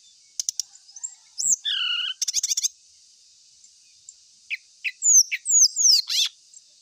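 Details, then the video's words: Ashy tailorbird song in bursts: clicking ticks, a sustained whistled note, a rapid buzzy trill, then a string of sharp descending and rising high notes, over steady hiss. "1menit srdc langsung gacor❗pancingan paling sering di cari ,srdc manapun gacor seketika"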